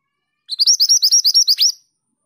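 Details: Female pied bushchat in lively song: a loud, rapid series of about ten high, sharp chirps in even rhythm, the final note swooping down, with no other sounds.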